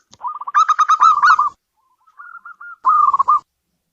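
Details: A local perkutut, or zebra dove, gives a fast rolling trill of coos, a few faint soft notes, then a second brief rolling burst.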